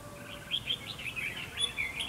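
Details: Brief run of red-whiskered bulbul song at a fighting-decoy trap: quick, bubbling chirped notes strung closely together, high and lively, over faint background noise.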